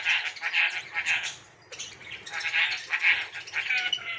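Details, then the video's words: Hungry baby birds in a nest, trying to climb out: harsh, wheezy begging cries repeated about twice a second, with a brief lull midway before the chorus resumes. "Bird babies are hungry and trying to came out of nest"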